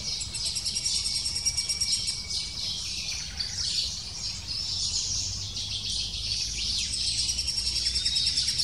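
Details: Lesser spotted woodpecker chick calling insistently from the nest, excited as the female arrives to feed it; a dense, high, rapid stream of shrill buzzy chirps runs almost continuously, over a steady low rumble of background noise.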